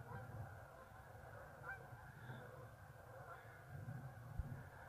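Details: A flock of geese departs the marsh to feed in the afternoon. Their massed honking sounds fainter and more distant, a steady blur of calls over low wind rumble.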